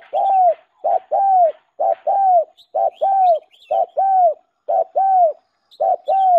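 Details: Lure call of a spotted dove used to attract doves: loud regular coos, each a short hoot followed by an arched, falling longer note, repeated about once per second, faint chirps of small birds.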